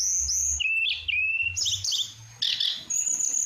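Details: Brief burst of flowerpecker song made of high, thin whistles, a short steady tone, buzzy chips and a long high sustained note, over faint low rumble.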